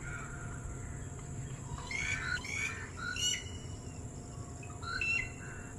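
A red-whiskered bulbul gives a few short, bright, chattering calls in bursts about a second apart, over a steady low rumble and a faint high hum.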